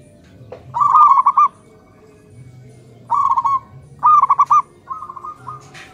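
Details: Local zebra doves answering one another in the morning: bursts of rapid, bubbling, trilled coos, each phrase under a second, repeated several times with short gaps, over a low steady background hum.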